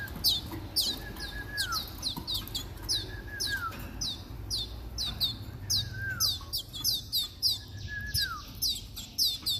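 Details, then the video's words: Timbrado canary song: sharp high chips and quick falling notes in irregular bursts, with occasional lower drawn-out whistled slurs, over steady background hiss and low rumble. "Timbrado canary"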